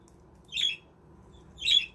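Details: Budgies in a self-built aviary village utter two short, coarse squawks about a second apart, with faint low background hum.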